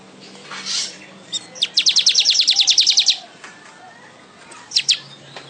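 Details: Weaver giving a quick, even string of about fifteen sharp high ticks lasting over a second, with a few scattered chirps before and after.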